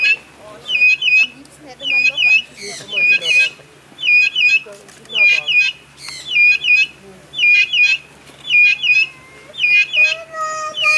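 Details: Captive vulturine guineafowl (Acryllium vulturinum) singing at Vogelpark Walsrode, Germany, 2014: high, clipped, chattering notes in tight rhythmic bursts, repeated about once a second, with lower squawks and a steady low hum behind.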